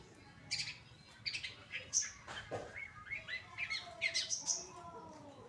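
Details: Caged long-tailed shrike of the Pastol type singing actively, recorded as tutor song for other birds: a varied run of sharp chips, short rising whistles and rapid chattering notes that grows denser toward the end.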